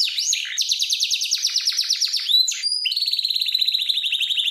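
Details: Canary training song with a fast trill of repeated notes, a short pause with thin whistled tones, then a steady, slightly descending buzzy trill to the end.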